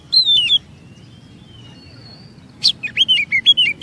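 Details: Oriental magpie-robin lure song for prompting long phrases from other birds; a falling whistled phrase, a thin faint drawn-out tone, then a sharp burst and a quick series of slurred whistles.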